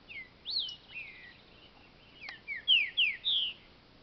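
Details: A captive green-winged saltator at a breeder sings a brisk phrase of clear, slurred whistles, some rising and some falling, ending in three loud, ringing notes. Faint background hiss.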